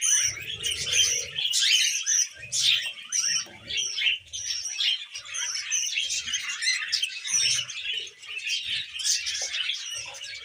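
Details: Female pet budgerigar, tame, giving a continuous busy warble: rapid clicks, squeaky chirps and brief rising whistles packed closely together, with occasional soft low bumps in the background.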